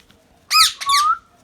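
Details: Indian ringneck parakeet kept as a pet gives two loud, harsh squawks: the first short and rising then falling, the second longer and held at an even pitch, against a quiet background.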